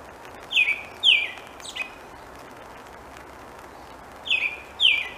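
An American robin gives short, clear, down-slurred notes in pairs, a pause between each pair, over the steady hiss of falling rain.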